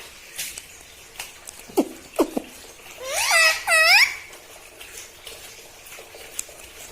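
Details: Pet parrot in a room, said to talk and say mitthu and mummy: a few soft clicks, then a pair of quick, looping, harmonic syllables about one second long, followed by quiet.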